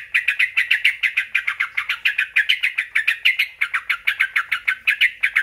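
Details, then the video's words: Sooty-headed bulbul chattering steadily, a lure to draw answers from other bulbuls; harsh clipped notes repeated about three times per second without a break. "bagi yg punya trucuk susah bunyi. PANCING PAKE SUARA INI JAMINAN NYAUT JADI GACOR"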